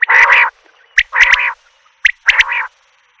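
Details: Common quail (Coturnix coturnix): short sharp clipped notes, each run into a longer, rough, harmonic note, repeated about once a second.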